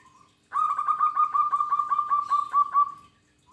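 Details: Lively local zebra dove delivering one long phrase of about thirteen quick, clipped cooing notes on a steady pitch, evenly paced over two and a half seconds after a brief soft lead-in note.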